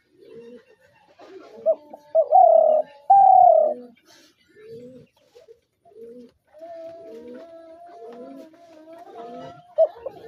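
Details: Decoy spotted dove delivering two strong drawn-out coos after short lead-in notes, followed by a long stretch of softer, lower, repeated cooing from other doves.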